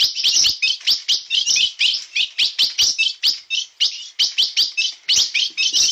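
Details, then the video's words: Blue-black grosbeak singing bico de aço style, pouring out rapid, rhythmic high chirps in tight pulses roughly three to four per second, sustained and vigorous throughout, with crisp clicking accents. "Azulão bico de aço na pegada"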